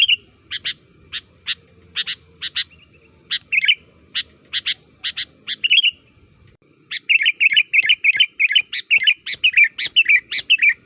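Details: Sooty-headed bulbul calling to draw answers from other bulbuls: a series of sharp single chirps about twice a second, then a faster run of warbling, bubbly whistled notes, with faint low background hum.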